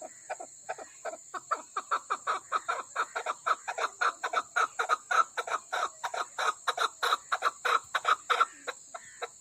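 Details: Female chukar calling from the Koh-i-Suleiman area of Pakistan: a fast series of dry, clipped chuck notes that grow louder toward the middle and continue without pause, over a steady high-pitched hum.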